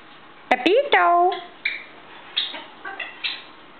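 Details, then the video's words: African grey parrot in a good mood on a kitchen table in the morning, indoors: two sharp clicks, then rising and falling harmonic whistled notes, followed by softer chattering, speech-like bursts spaced about half a second apart. "le gris d'Afrique de bonne humeur"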